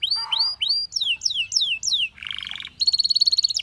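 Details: Belgian canary giving rising and falling whistled slurs, a low buzzy rattle, then a fast high trill of even pulses.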